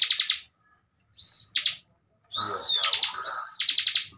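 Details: Bar-winged prinia master song for training young cage birds: short bursts of rapid buzzy pulses separated by arched whistles, with a brief lower chattering passage in the middle.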